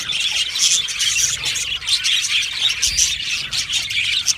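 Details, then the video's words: Australian budgies in an aviary flock, singing and chirping: a thick, unbroken wash of bright warbles and rapid chirps from many birds at once. "Beautiful Australian Budgie birds aviary sound | Budgie singing and chirping sounds"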